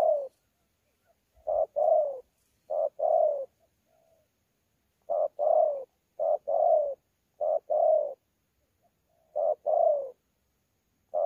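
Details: Wild-caught spotted dove giving thổ pha contest coos with gù, Sa Thầy, 26 November 2019. Measured series of soft hollow doublets, short then longer, with brief pauses between phrases and a faint low thud early on.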